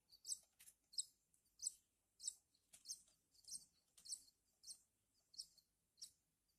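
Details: Hand-fed Horsfield's bush lark nestlings beg for food with thin, piercing high squeals, about ten short bursts in six seconds at a fairly steady pace, with quiet gaps between.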